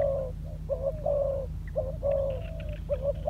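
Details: Short bout of cooing from a spotted dove trained as a ground decoy: soft low notes, some brief, some drawn out and level, spaced unevenly, over a steady low hum.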